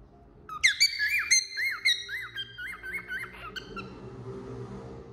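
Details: Cockatiel on a finger singing: whistled looping notes with sharp clicks for a few seconds, fading into a low background murmur and room noise at the end.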